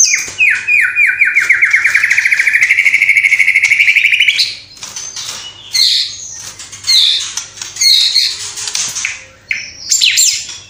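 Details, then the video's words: White-rumped shama singing actively, its song filled with copied calls of house sparrow, fighting lovebird, kapas tembak and cililin. A fast run of buzzy repeated notes climbs steadily for four seconds, then varied high chirps and whistles follow in short bursts. "Murai Batu Gacor Isian Gereja Tarung Love Bird Kapas Tembak Cililin"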